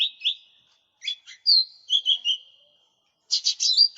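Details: Short burst of lesser green leafbird lure song: a whistled slur, a few chips, then drawn-out falling whistles, ending in a harsh buzzy chatter with a final slide. No background sound.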